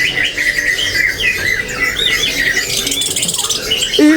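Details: A caged Orange-headed Thrush at a Jakarta bird market sings a rapid, varied run of sweet whistles and warbles, rising and falling, with faint chatter from other caged birds behind.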